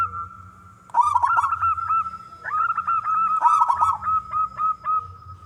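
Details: Local wild zebra dove, a constant singer with a strong voice, cooing to entice other doves into song. Rapid bubbling coo bursts lead into runs of brisk, repeated hooting notes, several per second, steady in pitch.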